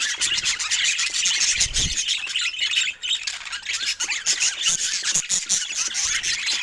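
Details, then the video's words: A loving pair of budgies chirping: a steady stream of thin, raspy twitters and squeaks, briefly dipping near the third second, plus a few low thumps. "Cute Budgies in Love 💕🐦 Sweet Chirping Sounds That Bring Joy"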